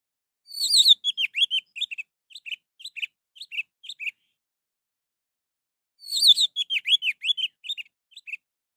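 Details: Orange-headed thrush singing, meant to spur a bird that is not singing: two similar phrases, each a loud opening note followed by a fading series of slurred, dipping whistles.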